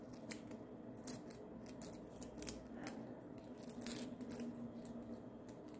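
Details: Quiet indoor room with scattered sharp snipping and rubbing clicks, like scissors being used, and no animal calls heard.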